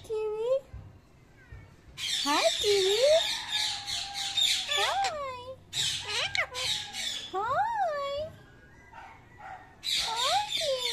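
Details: Talking Indian ringneck parakeet saying thank you: gritty, crackling high squawk-phrases repeated in rapid runs, interleaved with a human voice's looping, swooping tones and faint music.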